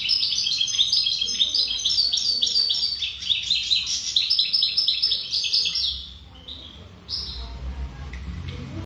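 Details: European goldfinch, said to be wild, pouring out a dense, fast twittering song of high tinkling and buzzy notes for about six seconds, then a softer pause and a few final scattered chirps over low background hum.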